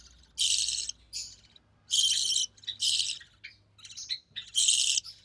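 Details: Captive recessive pied budgerigar chick born early June 2020, offspring of a white recessive pied male and an albino red-eye female, being fed by its mother; loud harsh, hissy rasping bursts about half a second long, in irregular runs.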